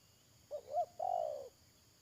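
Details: Decoy spotted dove kept for trapping birds, giving a three-part coo: two quick hooked notes then a drawn-out, purring coo that sinks gently at the end; quiet background.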